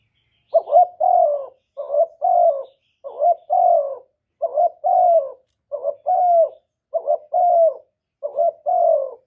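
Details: Spotted dove cooing as a luring call to draw other doves, recorded cleanly without background noise: about eight low, hoarse phrases in nine seconds, each a short coo followed at once by a longer, drawn-out falling coo, evenly repeated with quiet gaps.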